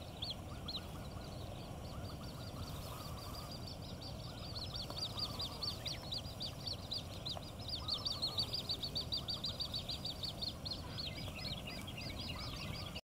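An Australasian grebe chick gives thin, high peeping notes in quick, uneven runs, with some lower chatter and a steady low rumble of wind or water.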